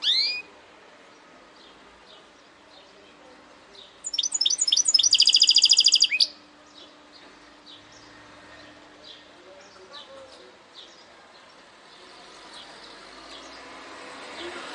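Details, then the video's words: Goldfinch hybrid (saka melezi) singing in a segmented style: after a quiet spell, a two-second outburst of fast, high, tinkling notes running into a dense rapid trill, then only faint distant chirps in a hushed background. "Saka Melezi Parçalı ötüm"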